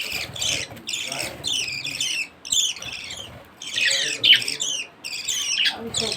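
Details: A baby budgerigar begs while being fed, giving harsh, raspy bursts of chattering squawks, repeated in quick runs.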